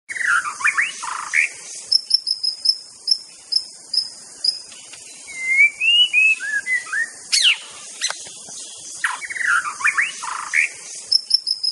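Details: White-rumped shama of the Aceh type singing a varied master song: sliding whistled phrases, high thin repeated notes near the top, looping warbles and sharp downward sweeps, with short pauses between bursts.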